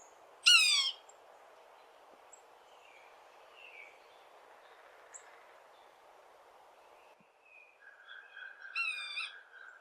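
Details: Yellow-bellied Sapsucker in Kentucky giving its common soft, nasal, cat-like mew call: a louder mew near the start, then a softer one near the end over a quiet background.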